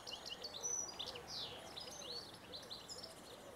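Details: Male European goldfinch in a mulberry tree sings a courtship song near a female before mating: a fast, tinkling twitter of high, liquid notes and buzzy trills without pause, over a faint low murmur.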